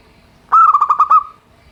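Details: Local zebra dove with a plain voice, used to stir lazy birds into song: one phrase of about six quick, stuttering coos fading into a sustained trailing note.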